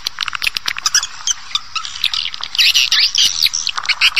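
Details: Swiftlets heard in an older farming lure call: a busy mix of high squeaky chirps and crackling clicks over a soft steady hiss, louder and denser in the second half.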